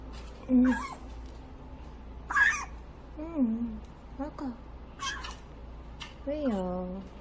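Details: Baby grey parrot, hand-fed pellets one by one outside its cage, whining while eating: a series of short nasal, falling whines with curved harmonics, about one every second, mixed with soft human voice.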